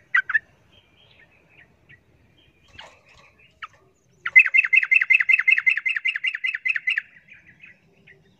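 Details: Yellow-vented bulbul fighting a wild bulbul gives a few scattered bright chirps, then a fast, even run of about fifteen bubbling notes over three seconds: loud, agitated fighting chatter that provokes other bulbuls.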